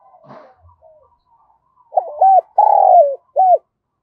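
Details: Spotted dove calling in the thổ voice style: after faint scattered sounds, a clear phrase of a stuttered opening, a short rounded coo, a long rolling coo sliding lower, and a brief final coo.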